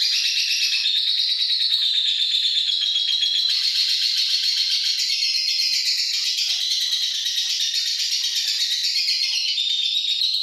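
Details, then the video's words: Lovebird ngekek chatter, used as a lure to get lovebirds to sing at night: an unbroken, rapid, high-pitched stream of shrill chattering notes, dense and rattling throughout with no pauses. "Pancingan love bird biar ngekek di malam hari."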